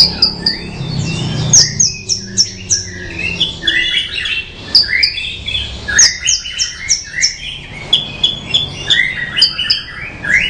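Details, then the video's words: Bushlark song, rich and varied: rapid cascades of high chirps and trills mixed with lower slurred notes, delivered in dense phrases with brief pauses, over a faint low background rumble. "Suara Burung Branjangan Merdu"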